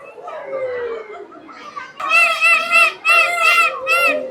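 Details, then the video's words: Indian peafowl at Bangladesh National Zoo, Mirpur, Dhaka, where peacocks were displaying with spread feathers, giving three loud, nasal, strongly harmonic wails in quick succession, each under a second; a person speaks just before. "ময়ূর কিভাবে ডাকে যে শোনা যাচ্ছে, দেখতে পাচ্ছেন।"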